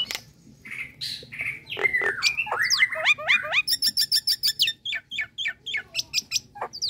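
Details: Nias hill myna calling: mixed whistled slurs rising and falling, followed by fast repeated sharp high chips and clicks in an irregular string.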